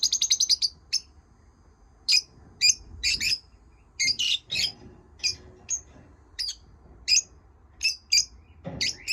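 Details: Pet lovebirds chattering: a fast rattling run of chirps at the start, then a busy series of sharp high chirps and harsh squawks at irregular intervals, ending with a short low noise.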